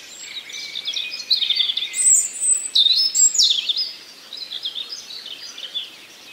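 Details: Forest nightingale song: quick sequences of clear whistles, slurred downward notes and rattling trills, loudest in the middle seconds, set against a busy chorus of other songbirds.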